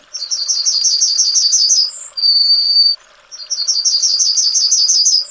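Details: Yellowhammer (Emberiza citrinella) song, given twice. A fast chain of sharp, high repeated notes rises into a brief higher note and a sustained level ending. After a pause, the next phrase of quick repeated notes begins.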